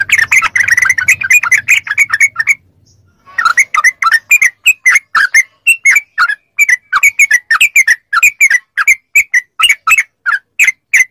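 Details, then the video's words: Training audio of yellow-vented bulbul song to prompt kept bulbuls to sing back: a busy run of bubbly phrases, a pause of under a second, then steady rapid chirping notes continuing throughout. "MASTERAN TRUCUK CEPAT ROPEL||SEMUA TRUCUK LANGSUNG NYAUT||TERAPI TRUCUKAN"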